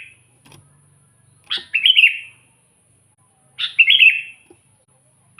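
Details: Two bubbly Sooty-headed bulbul phrases, each a sharp note sliding into a liquid warble, about two seconds apart, with faint low rumbling in the background; recorded as a lure for wild bulbuls.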